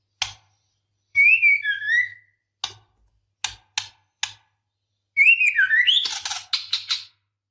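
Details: A breeding-condition female white-rumped shama calls the male with a falling two-part whistle, several dry ticks, then a rising-and-falling whistle running into rapid harsh notes.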